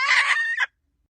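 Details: A brief, hoarse, drawn-out hen call lasting under a second. Its pitch drops slightly, and it ends in a short upturned squawk before silence.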